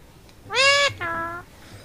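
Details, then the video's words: Talking Indian ringneck, a rose-ringed parakeet, mimicking human words. It gives a bright, harmonically rich syllable that rises slightly and holds, then a lower, flatter second syllable. Faint low background hum. "কথা বলা টিয়া পাখি | সখের টিয়া পাখি কথা বলে"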